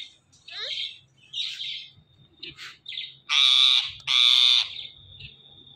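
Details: Pet talking parrot: a few soft rasping chatters and a thin whistle, then two loud, harsh squawks in quick succession, fading into quiet chatter.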